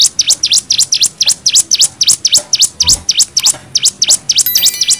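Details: Cigun nembak variation used for tutoring: quick, slightly uneven chain of sweeping down-up chirps, loud and high, with a brief ringing metallic sound near the end.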